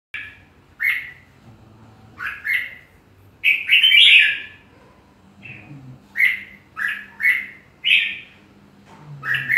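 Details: Red-whiskered bulbul singing: short, bright phrases of two or three slurred, whistled notes, some rising then falling, given in quick bursts with brief pauses, one louder, fuller phrase near the middle; faint low hum underneath.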